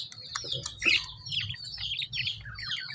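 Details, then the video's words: Dense, chattering lovebird chirps, scratchy and high-pitched with a few lower squawks, running almost continuously above a faint low hum. "lovebird chirping sound"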